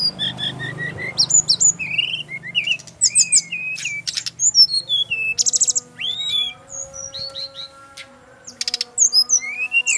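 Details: Brown-chested jungle flycatcher, a male in Bali, pouring out a long varied song. Whistled upslurs, squeaky notes and buzzy rattles come in quick succession over a constant low hum.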